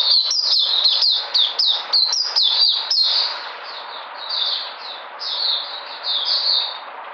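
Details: White-eye, 13 February 2020, coming back in energy: fast high chirping song accompanied by sharp clicks and knocks during the first three seconds, then smoother slurred whistles.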